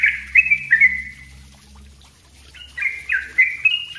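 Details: Yellow-vented bulbul singing densely for training other birds: three bright slurred chatter notes, a quiet pause with low hum behind, then a renewed fast run of chirpy notes.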